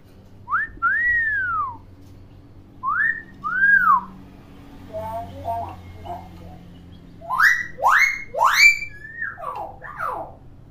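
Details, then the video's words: Tame, clever pet hill myna that imitates many sounds: two clear arched whistles, each rising then falling, then softer mumbled speech-like notes, ending in loud harsh raspy bursts mixed with quick falling whistled slurs. Low room hum underneath. "BURUNG BEO PINTAR NGOMONG"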